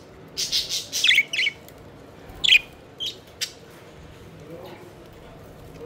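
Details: Pet budgerigars at play, flying and chirping; a burst of several quick chirps and squeaky notes, then a few spaced single chirps fading into low hum.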